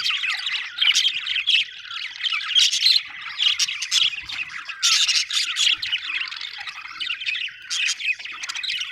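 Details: Budgerigar chirping: a dense, unbroken high-pitched chatter of warbles, squawky notes and quick tweets that rises and falls in loudness through the whole stretch, with no other clear sounds.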